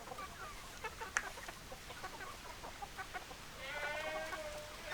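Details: Chickens, hens and roosters, heard as scattered short clucks and chirps over a busy background, with a drawn-out harmonic call rising near the end.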